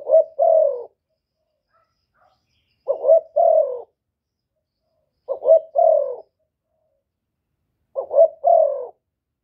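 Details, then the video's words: Spotted dove call used to stir up rival doves, recorded without background noise: four well-spaced phrases, each a brief broken coo followed by a drawn-out, gently descending coo, roughly every 2.6 seconds, with silence between. "Tiếng chim cu gáy kích bổi giọng hạp bổi"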